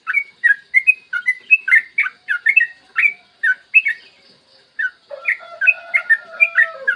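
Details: A yellow-vented bulbul's lure song, meant to make other bulbuls sing: quick liquid chattering phrases with a short lull, then resuming over faint, steady lower whistles.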